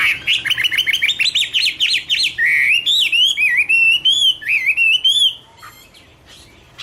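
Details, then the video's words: Chinese hwamei singing a rapid train of about a dozen sharp, repeated whistled notes, then longer rising and falling slurred whistles, before stopping abruptly into quiet. "Birds Garrulax canorus: Singer yellow mouth - wonderful birdsong"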